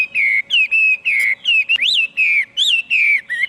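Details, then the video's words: Chinese hwamei song made of loud, sustained whistles, each gently bending up or down, spaced a fraction of a second apart with one sharp click partway through. "tiếng chim hoạ mi hót cực hay"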